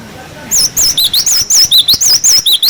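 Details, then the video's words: Cinereous tit giving a clear 'wucit wucit' tutor song for young birds: a fast run of about twelve high, wavy whistled notes, evenly spaced, with a faint low murmur beforehand. "Masteran glatik batu wucit wucit"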